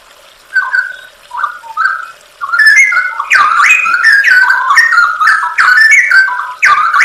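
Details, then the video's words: Straw-headed bulbul song for training other songbirds, full of 'isian nembak' filler phrases: scattered short fluty whistles build into a loud, continuous, liquid warbling of rising and falling notes. "masteran cucak rowo full isian nembak"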